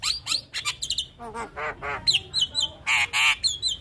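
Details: Javan myna master song for tutoring young birds, mixing harsh grating squawks with nasal stacked notes and sharp high whistles in a rapid, varied sequence.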